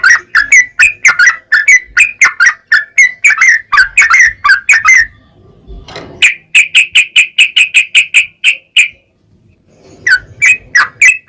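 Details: Yellow-vented bulbul in long rapid song, used to goad other bulbuls into singing: a fast chattering run of whistled notes, a short pause, another even volley of sharp chirps, silence, then song resuming.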